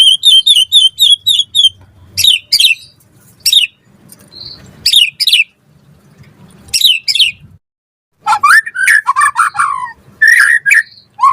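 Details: White-rumped shama lure song for caged birds: an evenly repeated run of high, ringing notes, then spaced sharp clicking bursts, and finally a tumbling mix of lower whistles and chatter.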